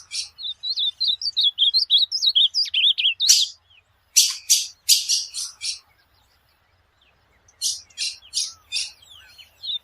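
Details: Ultramarine grosbeak singing as training material for a pet bird: a long chain of quick, bouncing warbled notes, then rows of rasping broadband bursts separated by short silences, ending with thin twittered notes; no other sounds.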